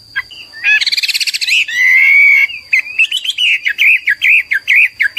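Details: Hwamei, a popular East Asian cagebird, singing energetically: a fast rattling trill, then a long sustained clear whistle, followed by a rapid series of sharp rising and falling whistled notes repeated several times per second; a steady high electronic tone hums beneath.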